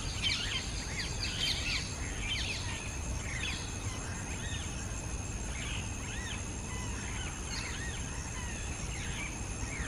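Rose-ringed parakeets give short, shrill, arching screeches, scattered and overlapping through the clip, over a steady low rumble of background noise.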